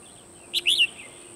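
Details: Decoy red-whiskered bulbul singing during a bird-trapping session on 12 December 2020: one short liquid phrase of three quick, bright slurred notes over a quiet background with a thin constant hiss.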